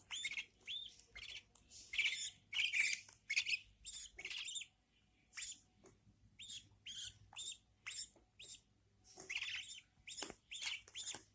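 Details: Newborn budgie chicks fed by their mother keep up a steady run of harsh, raspy chirps, nearly two each second, pausing briefly midway before resuming with sharper squeaks.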